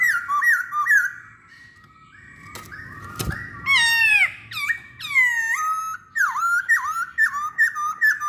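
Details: Masked laughingthrush singing as a lure to set off other laughingthrushes: rapid bright whistled phrases, a brief knock midway, then a run of loud, descending slurred notes repeated about twice per second.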